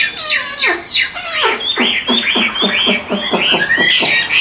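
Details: Hwamei in captivity in Vietnam singing loud, sweeping downward-slurred whistles, first long and gliding, then shorter and repeated in a rapid rolling sequence.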